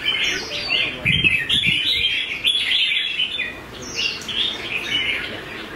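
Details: Red-whiskered bulbul with a fighting temperament, a prized contest singer, produces clear rising and falling whistled phrases in repeated bursts over low background noise.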